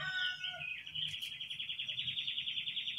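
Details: Wild babbler (jongkangan, brown cingcoang) at a place where many live: a few falling notes, then a steady rapid trill of high buzzy pulses held for over two seconds, with a low rumble underneath.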